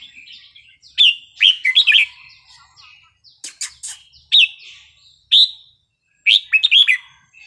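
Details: Red-whiskered bulbul in Thai wild-style song, with crisp whistled phrases of two to three notes at intervals, several sharp clicks, and a clean, quiet background.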